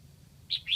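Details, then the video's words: Decoy red-whiskered bulbul from Lạng Sơn, kept to lure wild birds, gives a short two-note whistled phrase, a bright note followed by a slightly lower slurred one, over a faint low hum. "Mào mồi gáy kiểu này liệu có gọi được bổi không đây?"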